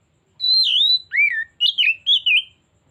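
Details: Oriental magpie-robin lure song: a sustained high whistle falling away, then a lower swooping note and three short bright rising-falling whistles in quick succession, clean background.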